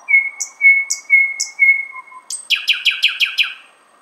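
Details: Outside a window in Finland, beyond its usual southern range, a thrush nightingale sings sustained pure whistles overlaid with high chips, then a quick series of seven loud, down-sweeping clacking notes.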